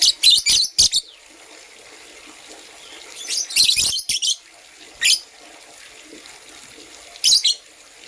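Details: Green and blue lovebirds in the morning give sharp, raspy, high chirps: a fast run of several at the start, another run near four seconds, then single chirps spaced apart.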